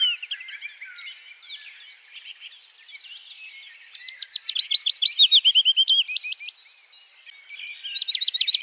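Willow Warbler song: a sweet, high run of quick slurred notes lasting a few seconds, then starting again, over softer twittering from other birds.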